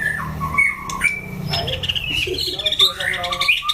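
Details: Caged white-rumped shama in a fighting test, giving harsh squawky notes mixed with clear whistles that rise and fall. The phrases are varied and fast, with low background hum and faint voices.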